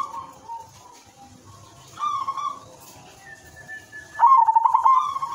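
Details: Silver zebra dove singing as a lure to set other doves calling: quiet coos and a steady whistled tone at first, then a soft trilled phrase, ending in a loud rolling trill.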